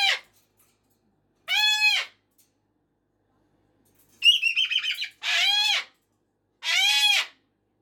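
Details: Pet cockatoo screaming at 5:15 in the morning and evening; loud, harsh, rasping screams about half a second long, repeated with pauses of a second or more, plus one buzzy, stuttering squawk burst in between.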